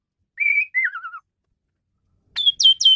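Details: Tutor recording of Asian pied starling song meant for teaching songbirds: a long clear held whistle that falls into a wavering, descending warble, then after a pause three sharp, high, downward-sweeping whistled notes.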